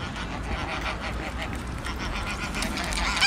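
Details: Greylag geese in a mixed group with Egyptian geese on a river bank, giving a run of repeated nasal honks with layered harmonics, steady low background rumble throughout.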